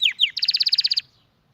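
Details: Canary singing two quick downward-slurred high notes, then a fast, even trill of about a dozen notes, all within one second, in a quiet setting.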